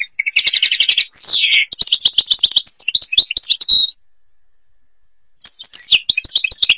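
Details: Goldfinch from Algeria's Babas forest: buzzy trills, a long down-sliding whistle, then twittering phrases and rattles, a pause, and more tinkling notes at the end.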